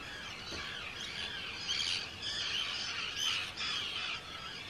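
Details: Arctic terns at a breeding colony on Rottumerplaat, the Netherlands, 4 June 2023; high, grating calls from several birds rise and fall in waves, with one clearer shrill note standing out.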